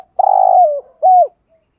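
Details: ['A single spotted dove phrase in thúc gù style, meant to rouse wild doves: one long coo dropping at the end, then a short arched note.']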